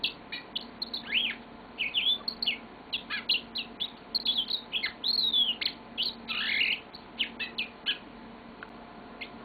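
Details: Yellow-fronted canary kept as a pet, singing a long song: a rapid stream of high chirps, trills and rising or falling whistled slurs, tumbling on without pause for nine seconds in a quiet room.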